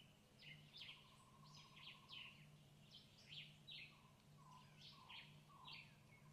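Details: Bee hummingbird in Cuba, feeding chicks: a quick series of short, sharp chirps sweeping downward, coming in clusters about every half second, over a steady low hum and a faint tonal drone.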